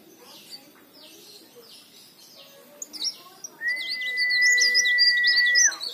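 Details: Leaf warbler singing busily, a recording meant to coax other birds into song: faint chips at first, then a burst of high, tumbling twitters with a long, level whistle running underneath that drops at the end.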